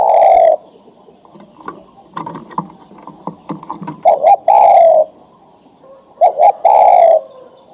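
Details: Male spotted dove ready to breed, calling a female: a long coo, then twice a pattern of two short coos leading into a sustained coo, with light knocking and rustling between phrases.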